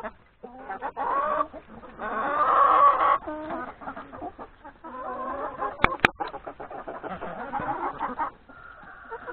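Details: Chickens, hens with three roosters, eat breakfast in the yard before going off to graze in the forest; loud cackling bursts and rhythmic clucks, broken by two sharp knocks around six seconds.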